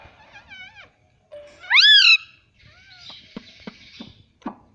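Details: Pet Indian ringneck parrot: a short wavering harmonic note, then a loud, rising-then-falling screechy call lasting about half a second, followed by a soft buzzy hiss and several sharp clicks.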